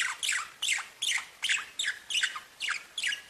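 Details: Pet budgerigars calling in a steady run of harsh, downward-sliding chirps, repeated about three times per second without a break.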